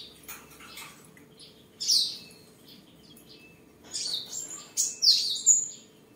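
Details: Seven-coloured sunbird, tame and kept at home in Đồng Nai, Vietnam, 23 July 2022, during singing, displaying and sparring: soft scratchy twitters open, then a loud high chirp and a closing burst of shrill notes with a whistle.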